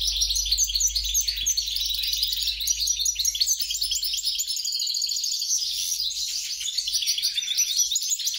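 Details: Goldfinch mule, European goldfinch crossed with grey-crowned goldfinch, delivering an unbroken stream of bright twittering notes, rapid trills and tinkling chirps pitched high.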